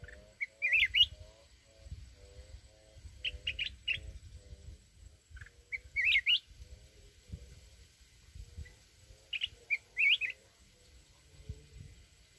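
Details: Mountain red-whiskered bulbul giving wild-style provoking song for trap fighting: short bright warbled phrases of rising whistles, roughly every three seconds, over a soft steady pulsing hum and low background noise.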